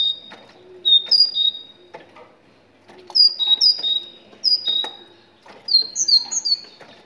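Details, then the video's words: Song of a Moroccan tit, used to encourage other tits to sing: short bursts of three to five sharp, high whistled notes alternating in pitch, separated by brief pauses, with soft clicks in the background. "تغريد الحداد المغربي الأصيل ماشاء الله ❤️❤️ روعة لتحفيز القرقف على التغريد"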